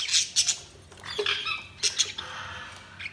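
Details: Budgerigars chirping: short sharp chirps and squawks in quick bursts, some notes with a drawn-out buzzy tail, separated by brief pauses.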